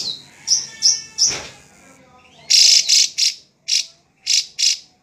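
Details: Drongo (srigunting), a songbird that perches high to watch its territory: three short high whistled notes, a sharp click, then six loud harsh buzzy bursts in an uneven series.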